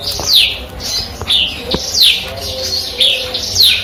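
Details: Eurasian tree sparrow performing canary- and cigun-style song: clear high notes sliding down in pitch, spaced about every half second to a second, with a light low hum underneath.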